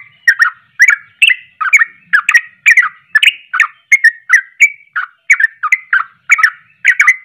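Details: Excited ropelan song of a sooty-headed bulbul, sung to provoke rival bulbuls: an unbroken string of quick, chattering two-part notes, about two or three per second, steady and clear against silence.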